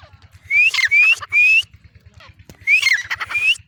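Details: Calling female black francolin (teetar): three loud rising whistled notes mixed with rough grating sounds, a pause, then another phrase of upslurred whistles, all over a steady low rhythmic ticking.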